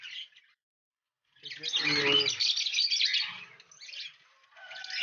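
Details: Lovebirds in a breeding colony, kept alongside cockatiels during the first breeding season: dense, high, overlapping chirps and chatter, with a short human voice in the middle and a brief pause near the start.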